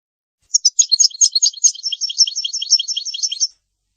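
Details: A goldfinch mule sings for chicks and canaries to learn from: about three seconds of busy, high, jangling twitters that settle into a quicker, steady rolling trill, with no other sounds.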